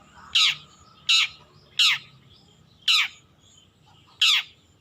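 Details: Young long-tailed shrike still learning its song repeats a single harsh, descending squawk-like note about every 0.7 seconds, five times in all, over a quiet background.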